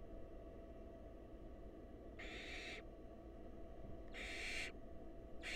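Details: Wild barn owls in a nest box, the female feeding a nestling a mouse brought by the male: long, breathy, noisy screeches, three bursts spaced about two seconds apart, steady hum beneath.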